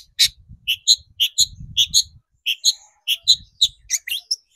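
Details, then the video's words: ['Long-tailed shrike singing on a lure recording used to rouse other shrikes: quick high chirps and squeaky double notes in short bursts, with low thumping knocks underneath.'] "PANCINGAN CENDET BIAR EMOSI DAN GACOR"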